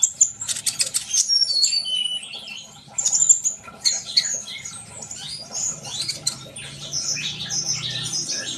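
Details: Sunbird twittering in fast, very high chirps and short whistles, more scattered and softer later, with a low background hum.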